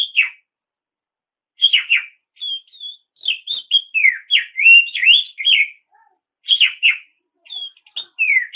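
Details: Oriental magpie-robin delivering continuous song to provoke rival birds; after a short gap, a rapid flow of bright whistles, slurred swoops and harsh chattering notes, briefly pausing before resuming.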